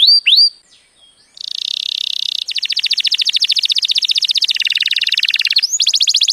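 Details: Canary singing, played to teach young canaries and stimulate mating. Two sharp upslurred notes open, followed by a short pause, then long, rapid, evenly repeated rolling trills at changing pitches, ending with a higher trill.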